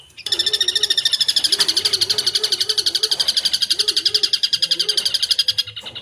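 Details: Long-tailed shrike in lively full song packed with filler phrases: one sustained, very rapid high buzzy rattle of about four notes a second lasting five seconds, over a soft low warbling tone.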